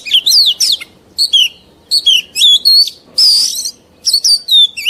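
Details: Mature wild-caught Oriental magpie-robin, sung for young birds to learn from. Short phrases of clear slurred whistles alternate with brief pauses, including one harsher, broadband burst. A soft low hum is heard throughout.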